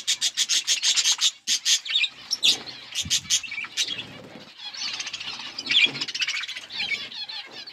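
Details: Flock of budgerigars feeding, fast repeated clicking chirps at the start, then dense scratchy warbling chatter with a few low thuds.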